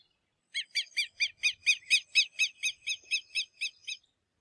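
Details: Southern Lapwing (quero-quero) calling: a rapid series of about fifteen harsh, ringing, arched notes, evenly spaced at roughly eight per second, slightly fading toward the end, with a quiet background.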